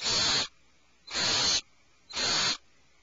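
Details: Three long, hoarse hissing screeches from alarmed owlets inside a nest cavity, each near half a second, separated by brief quiet pauses.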